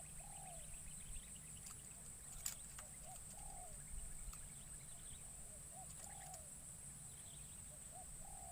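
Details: Spotted dove brought into forest as a lure for wild birds, first time in the wild; four repeated low coo phrases roughly every two seconds, each a quick note then a longer descending coo, against a high insect drone.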